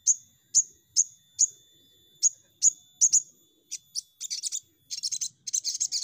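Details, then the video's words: Crimson sunbird call used as a lure to draw untrained birds into singing. Sharp, piercing high 'tsip' notes repeat irregularly, then quicken into dense, scratchy high chattering trills toward the end. "Pancingan Sogon Bahan Cepat Nembak"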